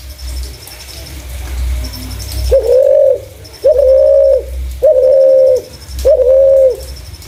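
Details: Spotted dove with a clear voice, used as a lure for other doves: after a quiet start, four low, steady hooting coos, each under a second, follow at regular intervals over faint high ticking.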